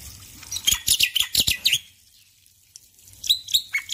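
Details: Male Black-winged Myna singing in the morning, a dense cluster of harsh, high chirps for over a second, silence, then a few whistled, slurred notes.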